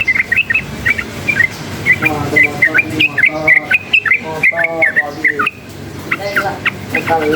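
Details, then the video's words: Wild yellow-vented bulbul, roused by surrounding noise, gives quick bubbly whistled notes in a fast series, while a man's voice talks underneath for much of the stretch. "suara bising menambah EMOSI burung TRUCUKAN ini | trucukan ngalas gacor nembak ropel uplik uklik"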